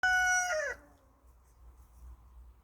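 A peacock gives one loud, nasal, trumpet-like cry lasting under a second. It holds steady, then slides down at the end, followed by quiet background hiss.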